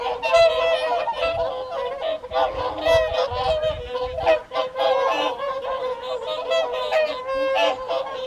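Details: Many whooper swans trumpeting at the evening feed, Folly Pond, WWT Caerlaverock, January 2023. Rapid, repeated brassy honks overlap continuously, with low thumping noises during the first half.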